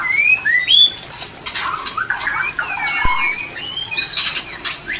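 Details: Sparse white-rumped shama mating phrases, used to get shamas ready to breed: thin upslurred whistles, soft rasping notes and a single sharp tap among quieter gaps.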